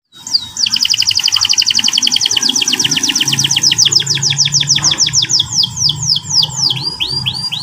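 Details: Canary singing in the morning, a rolling ngeriwik-ngerol style song: a long train of fast, high down-slurred notes that slows toward the end into wider, sweeping whistles. A low hum runs underneath.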